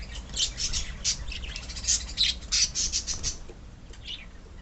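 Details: A pet budgerigar colony chatters in fast, rasping, high-pitched chirps, loudest and densest in the middle, then thinning to a few scattered squeaky notes near the end.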